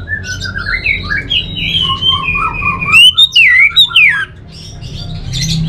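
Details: Orange-headed thrush singing a continuous, varied warble of slurred whistled phrases that rise and fall, with louder, sharper whistled notes near the end and a low steady hum underneath.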